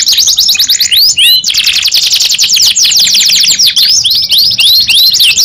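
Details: A young canary sings buzzy rolling trills, broken by brief upward-sweeping whistled notes, then slower repeated arching whistles toward the end.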